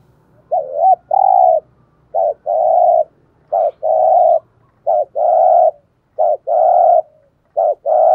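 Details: Spotted dove kept as a decoy, singing in the 'giọng thổ' voice style with 'sấm thúc' cooing: clean mellow coos, each a short double note then a longer drawn coo, repeated about every 1.4 seconds in a quiet setting.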